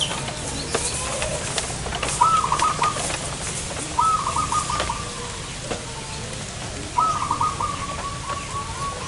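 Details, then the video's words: Zebra dove calling during a trapping session in front of a house: rapid bursts of short, bubbly rolling notes that trail off, about three phrases over nine seconds, with faint clicks and background hiss. "burung perkutut"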